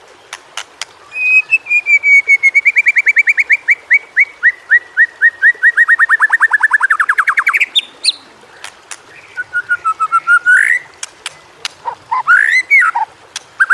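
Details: White-rumped shama training song for prompting reluctant shamas to sing: a long run of rapid, slightly falling whistled notes repeated many times, then loud sweeping whistles and sharp clicks.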